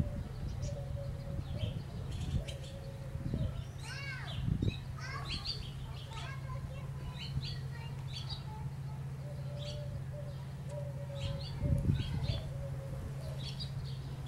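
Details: Young barn swallow chicks in the nest, filmed over the days before fledging with a Nikon D810: scattered sharp chirps and twittering notes, some rising and falling, over a steady low hum and a faint constant tone.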